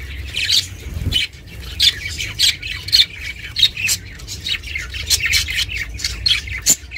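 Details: Pet budgerigar (Melopsittacus undulatus) chattering in a steady run of scratchy, high chirps and squawks, several each second, over a low background hum.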